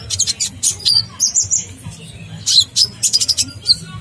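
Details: Sunbird song used for bird training: bursts of very high, thin chirps and short twittering notes in quick clusters with brief pauses, over faint low background music.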